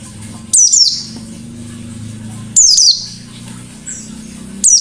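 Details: Pleci white-eye 'gacor' in 'ngalas' song with 'nembak' shots, for luring other birds: brief, shrill, high falling trill bursts spaced about two seconds apart, a faint softer echo between, constant low droning hum.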